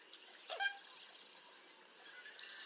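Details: American Coot (Fulica americana) call: a single short, nasal, honking note, over a steady hiss of water or wind.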